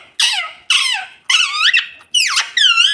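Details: A talking pet parrot gives five high, squeaky, nasal bursts about half a second apart, wavering in pitch like clipped speech, while its owner asks what it wants and says it was hungry.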